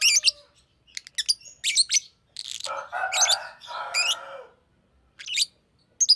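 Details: Green lovebird chirping in sharp high bursts mixed with two longer harsh raspy chatters.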